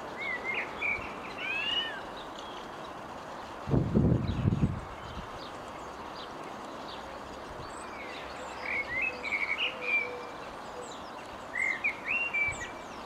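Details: Blackbird singing at a distance, recorded on a zoom camera: scattered fluty whistles and warbling phrases at the start and again near the end, separated by long pauses, with a brief low thumping rumble and steady background hiss.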